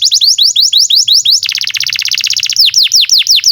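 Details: Canary song for tutoring young canaries: steady rising chirps repeated quickly, switching abruptly to a fast, rich rattling trill for about a second, then clear loud downward-swept whistles at an even, slower pace.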